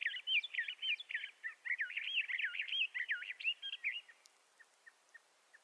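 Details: A Bendire's thrasher sings a loud, rambling warble of quick slurred and scratchy notes for about four seconds. The song then fades into a few faint, spaced chips.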